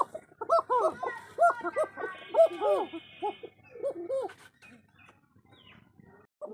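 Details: Native coca pigeon calling in a home loft: a quick run of harmonic, rising-and-falling laughing notes for about four seconds, then scattered softer notes as calling tails off, with a faint human voice.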